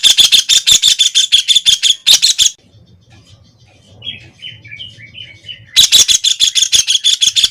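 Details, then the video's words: A White-throated kingfisher (Halcyon smyrnensis) gives loud, rapid, harsh chattering notes, about three per second, in two bursts separated by a quiet gap with faint distant whistles and a low hum. "Tiếng chim Sả Đầu Nâu(Bói Cá) | The sound of the bird Halcyon smyrnensis"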